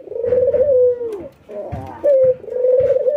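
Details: Ringneck doves, a white albino bird matched against a local bird during routine training, nodding and giving their laughing coo: low, smooth, drawn-out tonal coos with short pauses and a brief rolling, chuckling break mid-clip, close and clear.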